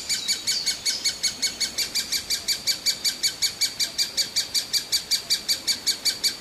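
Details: Ever-hungry great spotted woodpecker chick begging with a steady, metronome-like train of sharp high chirps, nearly three per second, evenly loud throughout.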